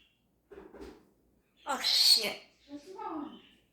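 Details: African grey parrot indoors imitating animal noises such as a rooster, horse and cat: two short throaty harmonic notes, then a loud harsh rasping burst, then a lower warbling, nasal phrase.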